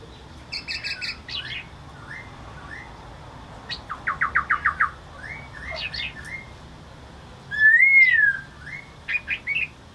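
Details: Laughingthrush song mixing buzzy harmonic notes, short upslurred whistles and a quick string of six rapid clipped notes, followed by one loud arched whistle and closing high chips, over quiet background.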